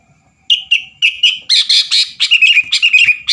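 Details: Sooty-headed bulbul singing energetically to provoke rival birds: after a brief silence, liquid whistled notes build into a dense, fast chatter of harsh and warbled phrases, close to two notes a second.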